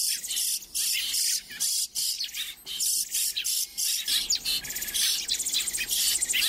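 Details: Baby birds such as sparrows and chickadees being hand-fed at a bird care centre at the end of May: insistent high-pitched chirping in quick bursts, many chicks calling together in a near-continuous shrill chatter.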